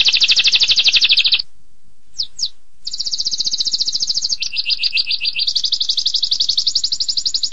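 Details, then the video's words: Canary with long 'tembakan pedas' singing: a fast high buzzing trill, a brief pause with two sharp chirps, then extended rapid trills alternating between higher and slightly lower rolls. "Suara Kenari Tembakan Pedas Durasi Panjang"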